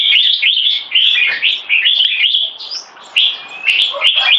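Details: Red-whiskered bulbuls kept for singing competitions, two birds facing off, one molting, deliver choppy, rapid warbled phrases, each a quick rise and fall, then a quieter gap and renewed bursts with clicks.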